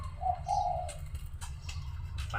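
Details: Wild dove cooing near a house in Thailand as a caged lure bird is set out behind the house; two low, soft hooting coos in quick succession, then rustling and clicks.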